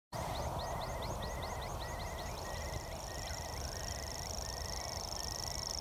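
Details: A particularly enthusiastic common grasshopper warbler, recorded very close at Luss, Loch Lomond, on the season's final black grouse survey, gives a high, steady, unbroken reeling trill over another bird's repeated slurred whistles and low wind or traffic rumble.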